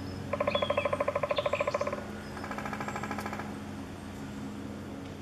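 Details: Eurasian three-toed woodpecker (Picoides tridactylus) at Chvalčov, Czech Republic, in August 2013 gives a fast, nasal chattering rattle of about twenty notes in under two seconds, then a softer repeat, over a steady low hum.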